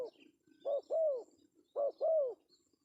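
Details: Male spotted dove giving the 'pesom' lure call: two evenly spaced pairs of coos, a clipped first note then a longer, rounded, falling coo, over quiet background with faint chirps.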